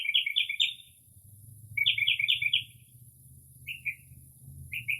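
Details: Late-night Northern mockingbird song in early spring, imitating various birds: two chattering bursts of rapid notes, then two short separate chirps, over a soft low hum.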